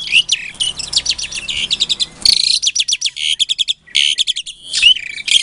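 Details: Asian pied starling song, bird bred in captivity in Klaten, Indonesia, February 2022, used to stir silent starlings into answering; fast chattering trills of rapidly repeated metallic notes, broken by a brief pause, ending in harsh whistles.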